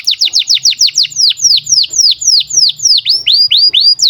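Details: Breeding-condition canary song, recorded for training young canaries; an energetic series of high whistles sliding steeply down, speeding up at first then slowing to about three per second, with a faint low hum.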